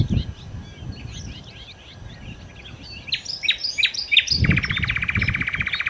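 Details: Nightingale (sikatan londo) song: faint chattering, then several loud slurred whistles leading into a long, very rapid rattle of repeated notes, with some low thumping in the background.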